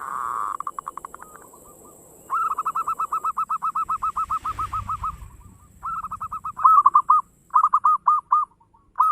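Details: Fast rolling coos from a local zebra dove, played to stimulate other birds to sing: long runs of rapid even pulses, then louder looping trilled phrases, repeated over a thin constant high tone.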